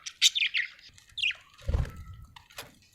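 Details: Happy budgerigar giving a quick scratchy warble, then a descending chirp, followed by a thump and a last sharp note.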